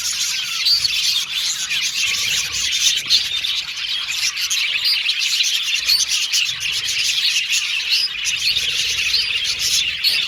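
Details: Australian budgerigar colony in an aviary, many birds singing at once: steady, thick chatter of shrill chirps, warbling phrases and short squawks running without a break.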